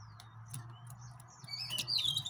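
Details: Yellow-fronted canary, a few thin, high whistled notes that slide downward near the end, set against a steady low hum.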